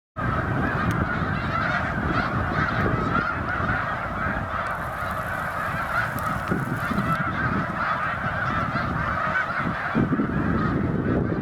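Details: Flock of snow geese on the St. François River at Drummondville, Quebec, 10 November 2012, near the public beach and sailing club; a dense, continuous chorus of overlapping nasal honks from many birds, steady throughout with no pauses.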